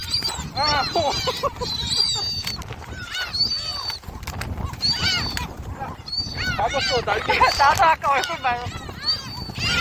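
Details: A crowd of gulls at Jebudo squabbling while being fed: dense, overlapping wailing and yelping cries, some short and stacked, some long and level, with people talking nearby.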